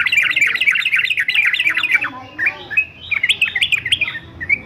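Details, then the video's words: Yellow-vented bulbul male, fighter style, for training birds to sing: a dense, fast, gurgling warble of slurred notes, a short gap, then choppier rising and falling whistles. "TRUCUKAN JANTAN FIGHTER ANTI BISU"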